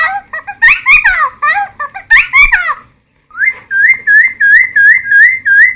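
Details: Cucak timor song used to lure wild birds and to teach captive birds to copy its song. Two bursts of tumbling, downward-slurred whistles are followed, after a pause, by a fast, steady run of short rising-falling whistled notes.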